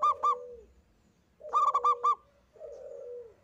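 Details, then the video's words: Lone local zebra dove in strong song, giving a few quick clipped notes followed by a low rolling, slightly falling coo, repeated three times with short pauses. "Kutut Lokal Gacor‼️ENGKEL Untuk Pancingan Bunyi"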